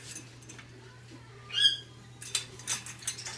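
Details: A male macaw, which only does it when his owner comes around, says a brief, high, nasal "hello", followed by scratchy rustling and a low steady hum.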